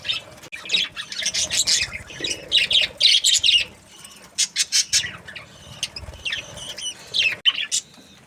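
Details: Australian budgie parrots give grating, high chirps and squawks in clusters, a quieter pause around four and a half seconds, then spaced single chirps and short chatter bursts.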